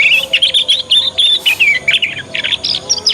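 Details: Young Yorkshire canary practising the 'ngriwik' sound, a lure song meant to prompt other canaries to answer and learn fast. Loud, continuous high chirps and short rapid trills, several notes per second, in uneven bursts with brief gaps.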